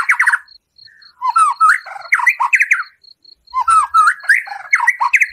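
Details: White-rumped shama in a cage delivering rough 'tembakan kasar' song meant to provoke a rival's emotion: dense chattering phrases of fast harsh notes mixed with slurred whistles, two long bursts separated by a brief pause, a faint steady tone behind.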